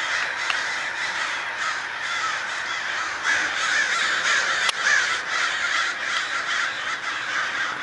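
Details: A massive gathering of crows swarms and dives at first light. Steady, dense cawing fills the air, with a few clearer individual calls rising above the crowd and one sharp click-like sound midway.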